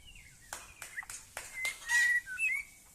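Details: White-rumped shama of the Aceh type singing in a bird contest: clear whistled notes near one pitch, some sliding and held, broken by sharp clicks and bursts of noise.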